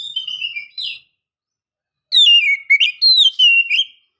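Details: A female Oriental magpie-robin calls to lure males into singing: a short descending whistled phrase, a pause, then clear sliding whistles falling and rising in pitch.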